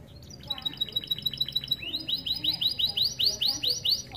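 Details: Canary of starblue colour in full song, used to tutor young canaries; a run of quick rising whistled notes repeated about twice a second, growing louder and more sweeping toward the end.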